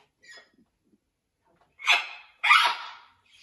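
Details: Blue-and-gold macaw at a parrot rescue sanctuary, adapting to a new flock: faint chatter, then two loud, harsh, broadband squawks about half a second apart near the end.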